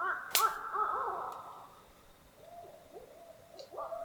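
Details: Distant barred owls hooting across a lake at an Algonquin Provincial Park campsite in early spring: faint, wavering, bending hoots trail off, then resume more softly, with a sharp click near the start.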